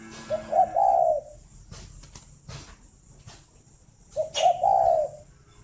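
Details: Captive spotted dove at a breeding farm in Ba Vì, Hanoi, Vietnam, in the morning: two low, mellow cooing phrases with a short stuttered start and a drawn-out hum, about four seconds apart, with faint clicks and knocks between.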